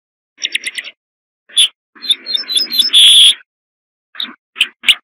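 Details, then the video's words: Corn bunting song with a fast burst of clicking notes, a lone chip, then a jangling, accelerating phrase ending in a long shimmering tone and a few separate sharp notes. "صوت درسة الشعير"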